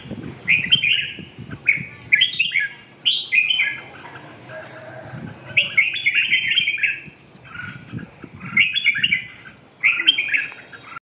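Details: Red-whiskered bulbul singing bright, chattering whistled phrases in short bursts, each about a second long and repeated every one to two seconds, with soft low background noise between phrases.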